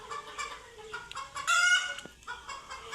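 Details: Panicked chickens encountering cats for the first time give spaced clucks, then one loud, drawn-out scream before the clucking resumes.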